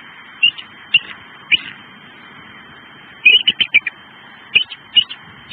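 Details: Bald eagles on their nest in southwest Florida at 7:02 am on 18 January 2013, eating a fish tail for breakfast, picked up by a nest camera: short, high, thin chirps in clusters of two to five, separated by pauses, over a steady low hum.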